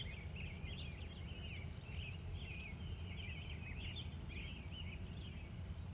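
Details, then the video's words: Morning chorus of wild birds in Glendive, Montana, USA, taped live from 3:45 a.m.: short rippling warbles recurring about once a second, with an even high-pitched hum and deep ambient noise beneath. "Relax In Nature With The Wild Morning Birds Of Montana"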